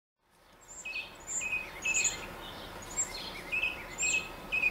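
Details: Northern mockingbird singing atop a tall mesquite tree in central Arizona, giving short high chirps and thin whistled notes in loose series, with a steady insect hiss underneath.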